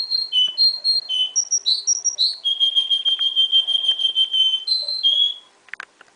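A young Russian singer canary sings clear, high whistled phrases, then a long, even rolling trill held for about two seconds before it breaks into quick notes again.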